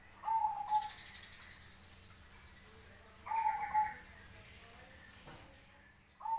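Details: Zebra dove (perkutut cemani) giving short, soft, rippling coo phrases roughly every three seconds, mid-pitched and melodious, answering other doves, over a faint steady background hum.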